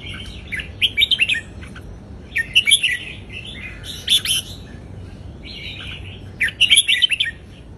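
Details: Southern folk-style song of a red-whiskered bulbul, Indonesian type, used to teach young birds; four bursts of lively bright warbled chirps, each about a second long, separated by brief quieter gaps, with background hiss.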